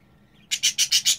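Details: Budgerigar chick, 25 days old, out of the nest and running around its cage: a series of about six harsh, raspy pulsed calls in quick succession after a quiet start.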